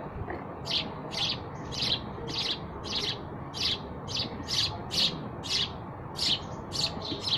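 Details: Sparrow chirping: a steady run of short, bright chirps centred high, about two per second, loud and repeated through the stretch, with a low background hum beneath.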